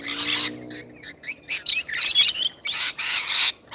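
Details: Wild rainbow lorikeets (Trichoglossus moluccanus) feeding, giving harsh, rasping screeches in quick, broken bursts, about six in under four seconds, with a faint low hum at the start.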